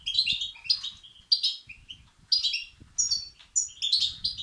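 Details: European goldfinch young calling for food, used to stimulate males: a rapid, chattering string of high, buzzy chirps, about eight bursts in quick succession, over faint low knocking noises.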